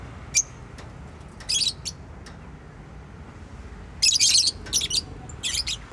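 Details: Pet bird chirping in scattered high, buzzy bursts: a lone chirp, a short cluster, then a busier run of rapid twittering notes near the end.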